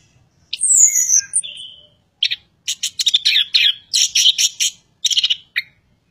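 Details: Chestnut-capped thrush (anis kembang) delivering 'ocehan panas' song: a long, high, sliding whistle falling in pitch, then rapid strings of sharp, chattering and buzzy notes in several dense bursts, over an otherwise quiet background.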